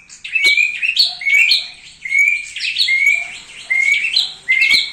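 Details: Thick-billed heleia in strong song, used as master for training: rich twittering phrases of bright chirps and whistles, each burst followed by a brief pause, with occasional sharp clicks.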